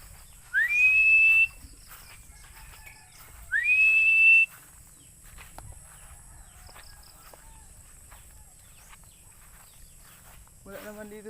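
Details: Two piercing whistled calls from a Philippine eagle, each sweeping up and then holding a level high note, about three seconds apart, followed by a brief low voice near the end.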